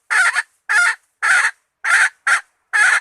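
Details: Bait call of a hen: six loud, coarse clucks at an irregular pace of roughly two per second, the first one double-pulsed.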